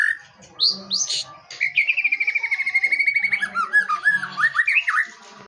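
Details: White-rumped shama singing a song packed with varied fill-in phrases: rising high whistles, then a long, fast, rhythmic trill of repeated notes, ending in looping, swooping whistled phrases.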